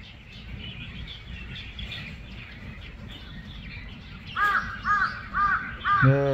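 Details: A crow visiting a garden in Korea, with other birds present, gives four harsh, hoarse caws about half a second apart over steady background hiss, and a man's voice breaks in at the end.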